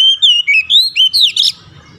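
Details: Oriental magpie-robin (kacer) ngoceh song for therapy to get idle birds singing without stopping: six rapid, loud, slurred whistles rising and dipping, ending in a harsher buzzy note, then near silence.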